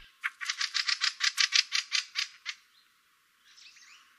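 A Fieldfare gives a rapid, harsh, rattling series of chak notes, about a dozen in two seconds, then fainter chatter follows.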